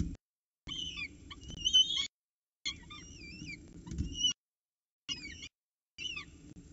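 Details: Feeding time for peregrine falcon chicks at the Orange CSU nest, 7:07 am, 26 October 2019, with the male bringing food. Undulating high squeals and quick downward chirps in short bursts over faint low noise.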